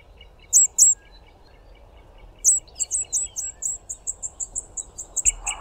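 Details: A male red-collared widowbird singing from the top of a bush gives a hiss, two sharp, very high notes, then a quickening run of thin, scratchy ticks, with softer mid-pitched notes from another bird behind.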